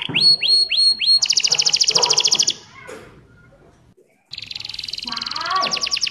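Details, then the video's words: Canary song played to get other canaries singing: short upswept notes, a fast rattling trill lasting over a second, a near-silent pause, then another rapid high trill. "Kenari Gacor Cengkok Merdu Sekali putar Kenari lain ikut Gacor bunyi"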